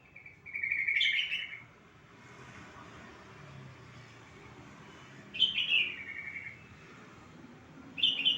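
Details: Sooty-headed bulbul call used to lure and stimulate a quiet bird to sing: three loud, bright, slightly descending whistled phrases spaced several seconds apart, with a faint hum between them.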